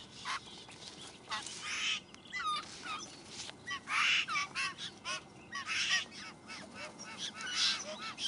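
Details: A party of White-winged Choughs in South East Australia caring for young perform a display to a fledgling, giving harsh grating bursts mixed with short downslurred whistles, several birds overlapping roughly every second. White-winged chough.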